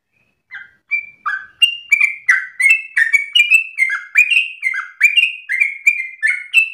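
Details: Sooty-headed bulbul starting softly, then building into rapid, insistent ropel song for training other birds: rolling sequence of downward-slurred whistles, alternating higher and lower pitch, about three per second.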